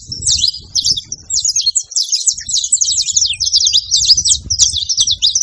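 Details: Wild saffron finch song outdoors, a long chattering string of bright, high, rapidly sweeping notes that speeds into dense twittering phrases, with faint low background rumble throughout.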